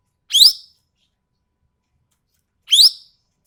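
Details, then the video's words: Sumatran ekek keling giving a pair of sharp, coarse, upward-sweeping squawks about two and a half seconds apart, recorded for training songbirds, with nothing else audible. "MASTERAN BURUNG EKEK KELING SUMATERA SUARA TAJAM DAN KASAR"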